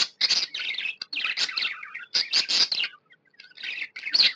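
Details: Contented tame budgie producing busy, scratchy warbles and chirps, with a gliding whistled note mid-way and softer twitters before a final loud burst.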